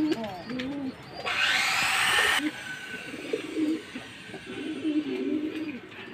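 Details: Jacobin pigeons giving low, warbling coos in short bursts, interrupted partway by a loud hissing rush of noise, then resuming in several soft, rolling phrases.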